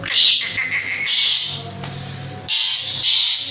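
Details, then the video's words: Asian pied starling, a jalak suren singing actively. Scratchy chattering bursts run into a sustained, hissing phrase, then pause before two more rasping bursts. Low hum underneath. "JALAK SUREN GACOR"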